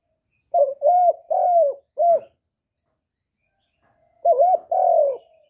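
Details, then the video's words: Spotted dove cooing to lure other doves: a phrase of four soft, mellow hooting coos, the third longest and falling, then a pause and two more coos. No other sounds. "Chim Cu Gáy Liên Tục, Gáy Gọi, Thúc, Gù, Bo, đảo giọng kích bổi hiệu quả. cu đất gáy, cu cườm gáy"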